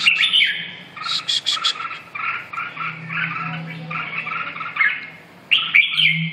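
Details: Red-whiskered bulbul singing loud, clear chirped phrases that begin with a strong burst, then a series of quick repeated notes and a bright final flourish, with a faint low hum beneath.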